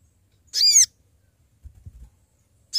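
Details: Sooty-headed bulbul calling companions as a trapping lure, giving one high, arched, downward-slurred call, followed by faint low thumps and the start of a second call.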